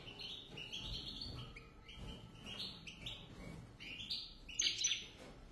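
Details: A pair of European goldfinches; a run of short, bright, rising chirped notes follows one after another, with a sharper, louder burst near the end over a low background hum.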